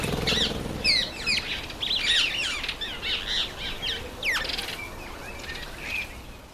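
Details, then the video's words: High whistled calls of a red-faced mousebird visiting a birdbath, clusters of short descending and rising notes, then a longer falling whistle and a few quieter notes near the end, with faint wing flutters. "Redfaced Mousebird at the birdbath"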